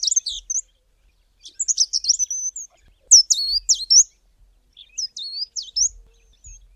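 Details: A Fairy Flycatcher in the southern Karoo gives very high, thin, twittering phrases of quick squeaky notes in short bursts with brief pauses; little else is heard.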